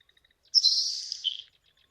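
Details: A Nelson's Sparrow of moist, grassy wetland margins gives a single dry, hissing burst about one second long, like bacon tossed into a hot pan, after a few faint ticks.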